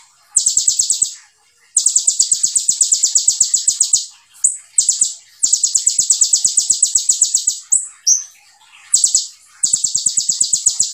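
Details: Olive-backed sunbird (konin) singing continuously in the rapid-fire 'tembakan' style: dense, high buzzy trills in bursts of one to two seconds, broken by brief pauses and a few short sliding whistles.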